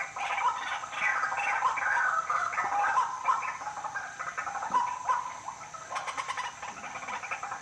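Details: White-breasted waterhen at night giving a dense, overlapping run of raspy croaks and squawks, busiest in the first half and then thinning into scattered notes over a steady hiss.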